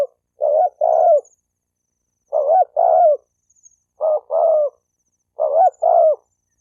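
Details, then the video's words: Spotted dove calls meant to incite male and female birds to fight, four double coos in steady succession: a brief rising note followed by a longer, falling, burred coo. "Tiếng chim cu gáy kích bổi kích trống mái gáy gù đánh nhau"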